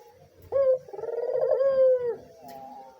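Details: A single full phrase from a white dove: quick rising note, then a sustained rolling coo with a pulsing flutter, ending in a gentle downward slide. Faint background murmur. Intended as a master call for doves learning to call.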